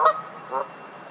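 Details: Two loud, nasal honks from Canada geese getting into a fight, the first sharp and the second longer, half a second apart, with quiet hiss between.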